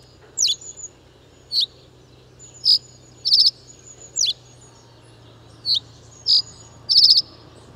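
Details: Common reed bunting (Emberiza schoeniclus) song: high, clipped chirps and short buzzy notes at uneven intervals, about eight in a few seconds, over a faint low hum.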